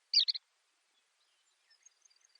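Baird's sparrow giving three quick, high buzzy notes, then after a pause a faint, high tinkling series of soft notes.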